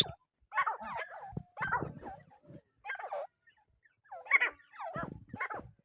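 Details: Francolin, locally called teetar, giving loud, harsh, raspy calls in strident bursts of rapid syllables. About five phrases come in under six seconds, separated by short silences.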